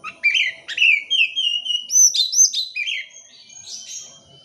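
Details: Oriental magpie-robin song played to encourage non-singing birds: loud rising whistles leading into long sliding notes, sharp high flicks, and softer warbling fading toward the end.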